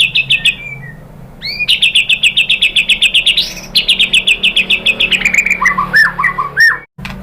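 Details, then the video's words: White-rumped shama lure song: fast clipped high notes in long rattling runs broken by buzzy upward sweeps, then lower looping whistles near the end, over a soft low hum. "KICAUAN MURAI BATU merangsang BUNYI jadi NYAUT GACOR BONGKAR MATERI ¦ PANCINGAN MURAI"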